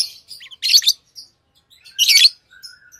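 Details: Lovebirds chatter with two loud bursts of shrill, scratchy chirps and soft thin twittering and a faint level whistle around them.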